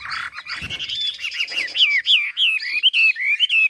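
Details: Chinese hwamei from Ha Giang, Vietnam: a faint rustling start, then strong whistled song of repeated swooping notes, each looping up and down in a steady rhythm.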